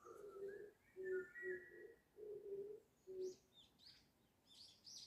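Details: Bird calling in Seoul in spring with a series of low, hollow hooting notes in short bursts. Brief higher whistles and soft chirps from other birds come in over quiet surroundings.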